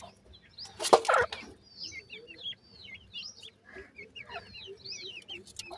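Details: Francolin chicks in captivity, feeding: a loud rattling burst, then a stream of thin, high, slurred peeps from several chicks, rising and falling, over a soft background hum.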